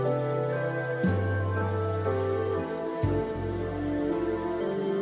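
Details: Soft, sustained instrumental music with gentle chord changes about once a second, with no other sounds.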